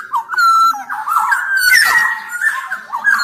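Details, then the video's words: Black-naped oriole singing without pause, used for tutoring and to coax sluggish orioles: a steady stream of liquid whistled phrases with a harsh scratchy burst in the middle. "Kicau Suara Kepodang Emas Gacor"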